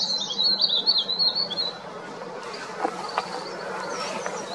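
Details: Verditer flycatcher in the Himalaya in spring, perched atop an oak tree, gives a loud, rapid, high jangling warble for almost two seconds, then a few faint thin notes. It sings before breeding to claim territory, with a Hill Barbet calling close by.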